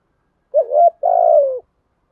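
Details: Spotted dove decoy bird in the thổ voice style, cooing to train a new bird: a short wavering hollow coo, then a longer steady coo that slides lower at the end. The background is otherwise silent.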